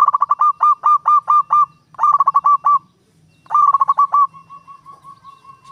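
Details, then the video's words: Local zebra dove (perkutut lokal) with a long, lively voice, played to lure wild zebra doves: fast runs of clipped, hooked cooing notes in three bursts with a gap in between, ending in a softer, slower string of even notes. "PERKUTUT LOKAL SUARA PANJANG GACOR, PANCINGAN PERKUTUT LIAR"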